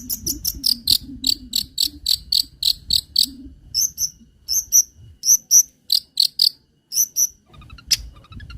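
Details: Long-tailed shrike song meant to attract and teach other birds: a fast string of bright, high-pitched chips, then spaced doubled notes, with a soft low rumble beneath.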